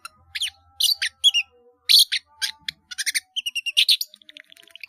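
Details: Energetic long-tailed shrike song with many mimicked fill-ins, used for training caged birds: harsh chips and squeaky slurred notes, then a run of quick clear whistles ending in a thin fading trill.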